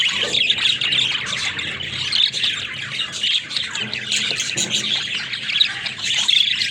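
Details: Bubbling budgie chatter of quick squeaks and scratchy warbles rises and dips in loudness, with a faint low hum underneath.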